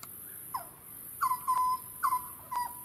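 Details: A grey butcherbird on the Sunshine Coast, Queensland, in January 2020 gives clear, fluted notes: a brief slurred note, then a phrase twice, starting with a quick warble and settling into a steady, mellow whistle.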